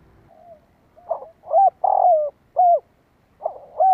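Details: Spotted dove call meant to stir up wild doves: a faint opening coo, then rising notes and a long buzzy coo that slides downward, closed by clear rounded hoots, with a brief low rumble at the start.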